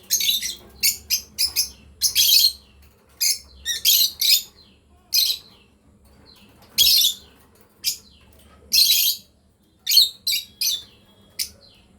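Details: Lovebirds from a breeding pair chirping in quick clusters of two to four high, sharp notes, with brief pauses between clusters and a soft low hum behind.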